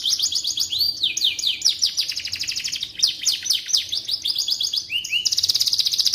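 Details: Continuous high canary song for tutoring white-rumped shamas: rapid rattling trills mixed with rising and falling whistled slurs, ending in a fast evenly pulsed trill.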